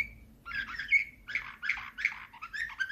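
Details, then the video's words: Canary singing in the Slavujar nightingale style: bursts of bright, buzzy warbled notes with short whistled tones, phrases separated by brief pauses, a faint low hum underneath. "Uccello dell'usignolo delle Canarie Slavujar"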